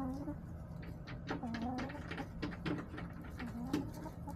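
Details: Backyard chickens on a homestead, hens clucking softly in low murmured notes with short clicks and scratching, steady hum in the background.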